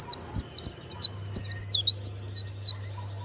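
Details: Warbling white-eye in captivity with a loud, clear voice, delivering a rapid run of high, twisting whistled notes, roughly fifteen in three seconds, each sliding down in pitch, over a faint low hum.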